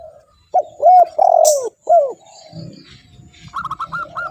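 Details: Spotted dove coo played to lure wild spotted doves: several loud, mellow, hollow cooing notes in a quick series, then softer notes with rapid chirps from another bird at the end.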